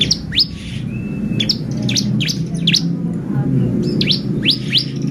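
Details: Bar-winged prinia song used to excite other birds, with scattered high, falling chirps and one brief flat whistle against loud low rumbling background noise.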